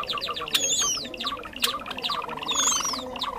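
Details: Java sparrow in a lure recording used for bird trapping: dense rapid clicking chips broken by two long, high, looping whistled phrases that sweep up and down, near the start and again near the end.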